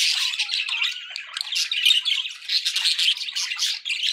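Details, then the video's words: Domestic budgies keep up a continuous scratchy warble, rapid chirps and harsh squawks tumbling over one another without a break. "budgie sounds"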